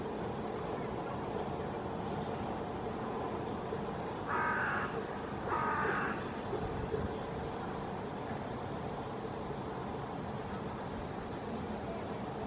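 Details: Hooded crow calling to its friends from a maple tree in Helsinki, Finland, in August 2024: two rasping caws about a second and a half apart mid-recording, surrounded by long quiet stretches of distant traffic hum.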